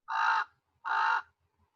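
A common raven gives two harsh, croaking caws, each about a third of a second long and close together, with nothing else heard.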